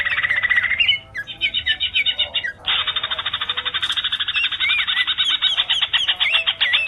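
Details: Greater green leafbird, a male in full song for training other birds, giving a fast run of rapid repeated chirps with brief whistled upslurs, near-continuous after a short pause at about one second.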